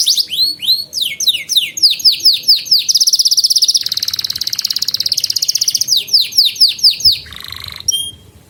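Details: Domestic canary singing a training song for juvenile birds: quick repeated swooping chirps lead into a long, rattling, buzzy trill, then more descending chirps and a lower buzzing roll, ending with a short thin whistle.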